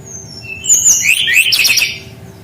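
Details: Kept Brown-chested jungle flycatcher in full rolling song, played to coax untrained young birds into singing. High descending whistles lead into a dense, fast twittering roll that rises and falls for about a second, with faint room hum beneath.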